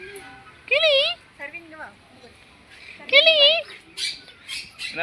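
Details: A parrot at Trichy Birds Park gives two loud, harsh, wavering squawks about two seconds apart, with people talking and a few short bird notes between; a visitor jokes it is shouting to be let out.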